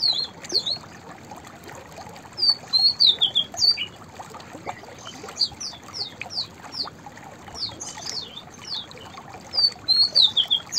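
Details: White-browed fantail repeating its whistled song three times. Runs of high, slurred notes rise and fall, with a series of sharp, downslurred chip notes between the phrases and a constant soft hiss.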